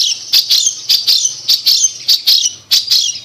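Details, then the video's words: Long-tailed shrike (cendet) lure song for a bird that no longer sings: short, rasping high phrases in paired bursts, about two per second, loud and harsh with a faint low hum behind. "Pancingan Cendet Macet Bunyi"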